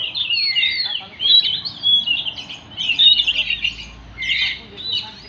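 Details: Oriental magpie-robin singing: bright, varied phrases of sweeping whistles and scratchy notes, delivered in bursts about once a second with short pauses, steady and clear throughout.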